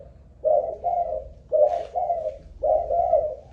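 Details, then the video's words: Malaysian-line spotted dove kept as a ground decoy bird, tested for stamina in cooing: three paired coo phrases, each two mellow, slightly descending hoots, spaced about a second apart, with low background rumble. "Cu Gáy Mồi Đất || Test nước bền chim cũng thấy khá ổn"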